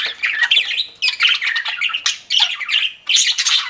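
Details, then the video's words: Pet budgies chirping in quick bursts about a second long, each a jumble of squeaky, buzzy warble notes, separated by brief pauses. "CUTE PET BUDGIES CHIRPING"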